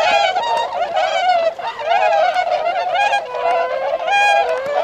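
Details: Tundra swans at Azumino's Otakara-da retention pond, Japan, 22 February 2013, going out to feed in rice fields before migrating north. Many birds give bugling, slightly sliding honks that overlap densely, some notes dipping lower.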